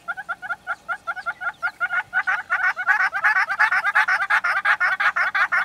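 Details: Red-billed hornbills in Kruger National Park giving a long series of hollow clucking notes, starting spaced and evenly paced, then growing louder, denser and faster as the calling builds, about three notes a second.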